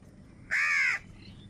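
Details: A crow, among crows fighting for food, gives one harsh, drawn-out nasal caw lasting about half a second, flat in pitch, against a quiet background.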